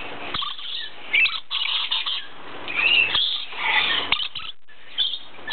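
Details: Red-phase dusky lories, a pair, giving harsh, raspy chatter and short screechy bursts, with a few sharp clicks and a quieter gap between calls.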